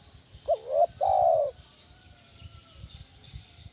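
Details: Spotted dove giving a loud 'kuk 1' style lure call used to draw in and train other doves: one low cooing phrase, a short wavering note then a longer drawn-out hollow coo, with faint high hiss behind.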